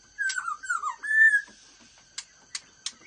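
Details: Black-throated laughingthrush, fast-beak song style: three rich whistled notes, the first two slurring downward and the last held steady, followed by three sharp isolated clicks.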